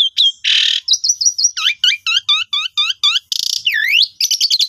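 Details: Asian pied starling song used to prompt silent birds into singing: a varied run of sharp chirps, a harsh buzzy burst, repeated bright whistles, then falling swooping notes and rapid chattering phrases, with no other sounds.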